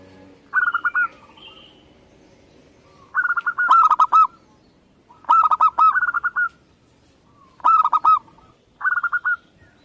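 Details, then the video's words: Local Indonesian zebra dove (perkutut lokal) repeating loud, rhythmic phrases of fast, rolling coo notes about every two seconds, five bursts in all, over soft background rumble. "Perkutut lokal"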